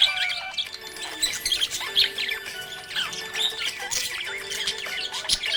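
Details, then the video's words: Happy budgerigar chirping: busy, high warbling twitters and short squawky chirps in quick irregular bursts, over steady sustained tones of background music. "Happy budgie chirping sound"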